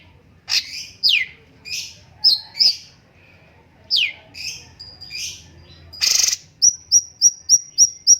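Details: Cucak cungkok song: varied high chips and downslurred squeaks, a loud harsh burst, then a rapid series of six evenly spaced, very high ticking notes.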